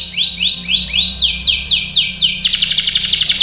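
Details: Canary singing a training song: arched whistled notes repeated about four a second, then quicker falling sweeps, finishing in a rapid high rattling trill.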